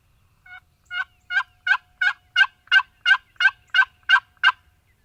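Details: Spring gobbler in Mississippi sounding off at dawn: a fast, loud series of eleven throaty rattling notes, evenly spaced about a third of a second apart, swelling after a soft first note, in a quiet setting.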